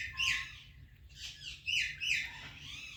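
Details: Ringneck parrot giving four scratchy, screechy chirps in quick succession, the louder ones with bright rising tones, over a low background hum.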